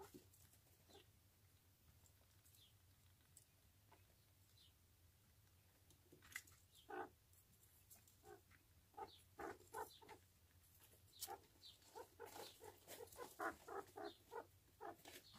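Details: Jumbo quail with chicks: short, soft peeping notes, sparse at first, then coming quickly and fairly regularly through the second half, some louder and fuller, with faint clicking in the background.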